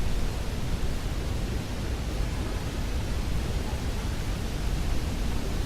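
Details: Steady broadband hiss with a heavy low rumble, and no birds or other animals audible.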